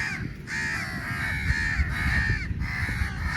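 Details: Crowd of crows competing for meat, loud harsh caws in overlapping bursts, drawn-out level calls broken by short gaps, against low rumbling noise and a few soft thumps.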